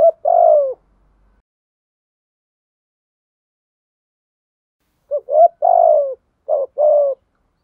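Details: Spotted dove coos, male and female calls used for training and luring birds: a single low falling coo, a four-second silence, then a cluster of short and longer soft coos in quick succession.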